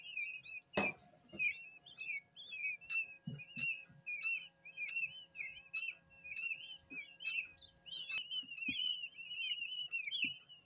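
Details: Newly hatched quail chicks, a few hours old and still wet from the incubator, peep constantly: a dense overlapping chorus of high, thin, rising chirps, with a few soft thumps.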